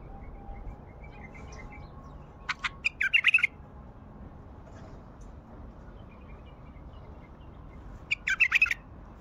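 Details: Wild Baghdadi bulbul gives two bursts of song several seconds apart. Each is a rapid run of sharp clicks and chirps that runs into a bright, warbled flourish, with quiet pauses and faint low background rumble between them.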